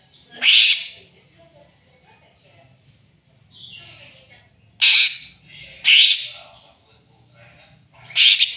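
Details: Greater green leafbird provoked toward a rival, giving loud, harsh, squawky bursts spaced a few seconds apart, four strong ones with softer rasps between, over low faint hum.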